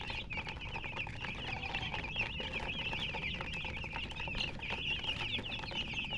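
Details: Chickens, colour chickens, chirping as a dense chorus: many overlapping high, wavering peeps run without pause through the whole stretch, with faint low background rumble underneath.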